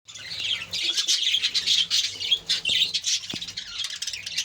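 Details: Captive budgerigar colony: many birds chattering at once, a dense continuous wash of warbled, scratchy chirps and squawks with no pauses, plus a low hum beneath.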